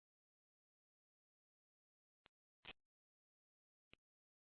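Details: Mostly silence, broken by three short clicks or thumps, with no animal calls.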